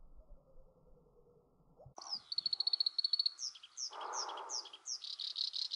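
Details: Black-browed reed warbler singing in June 2020 at Wakka Primeval Flower Garden, Hokkaido, Japan, while also catching insects; after a low hum, a rapid chattering run of high repeated notes gives way to varied scratchy, clicking phrases.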